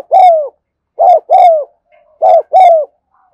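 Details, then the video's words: Spotted dove giving the 'thúc gù' style of cooing, recorded in the afternoon: loud, mellow, slightly falling hooted notes in quick pairs and singles, with short gaps between phrases and no other sounds. "tiếng cu thúc gù hay và liên tục"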